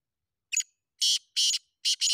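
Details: Sindhi black francolin (kala teetar, king teetar) call: a brief high note followed by four rasping broadband notes in quick succession, the final pair nearly joined; no other sounds heard.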